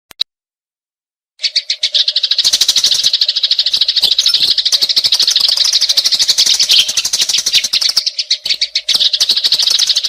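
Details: Sparrow lure recording: after a second of near silence, a dense stream of sharp, high chirps begins and pours on without pause, many notes overlapping into a busy, chattering chorus over a faint steady low hum.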